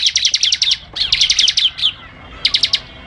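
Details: Bar-winged prinia (ciblek) singing vigorously on a song-training recording: three bursts of rapid, sharp, buzzy high notes, about eight per second, the last burst brief after a pause.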